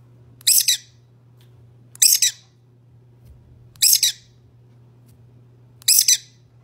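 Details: Pet lovebird giving 'chee-cheep' calls: four shrill, harsh double-note bursts, each about a quarter second long, repeated roughly every two seconds against a low, steady electrical hum.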